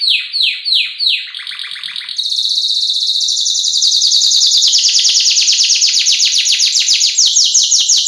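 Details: Canary, female luring a male, in a lure and tutor recording of vigorous song in the isian filler style: rapid downslurred high notes repeated about three per second, then a dense buzzy trill that builds and holds to the end.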